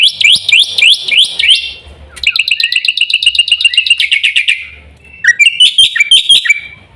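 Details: Song of a black-winged myna (jalak putih): repeated upward-sweeping harsh whistles, then a rapid train of grating notes, then jerky squeaky chatter; only the bird is heard.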